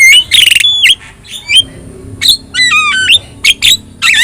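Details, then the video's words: Javan myna with yellow eyes, a prolific singer used as a training tutor for other birds, giving loud squawks, a harsh buzzy burst and a long wavering whistle with stepped notes. "JALAK KEBO GACOR MATA KUNING | Untuk Masteran Kicau Jalak"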